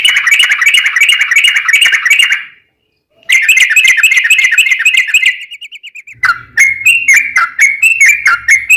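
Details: Yellow-vented bulbul singing long 'ropel' rattles to encourage other bulbuls to sing: two dense buzzy trills, a softer stuttering tail, then a series of bright chirped whistles varying in pitch.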